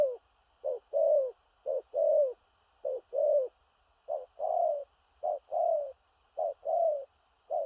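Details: Stuttering Thổ rặc cooing of a spotted dove, in gù cà lăm style. Brief low coos, each followed by a longer sliding coo, repeat in about seven even pairs against a faint steady hum.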